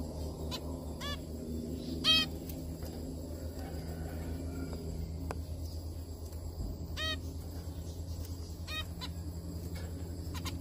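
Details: Zebra finches eating and singing together, giving short, nasal, buzzy notes and brief song phrases over a steady low hum.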